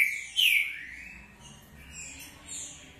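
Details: Green-winged saltator (Saltator similis), short song.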